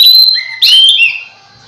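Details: Oriental magpie-robin lure song for attracting other magpie-robins: a steady high whistle, then a loud burst of slurred, sliding notes that trails off.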